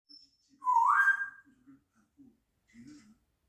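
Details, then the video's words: Four-year-old pet grey parrot giving a loud rising whistled call that swoops upward and then levels off, with soft low murmuring sounds before and after it indoors. "앵무새ㅡ새소리 효과음"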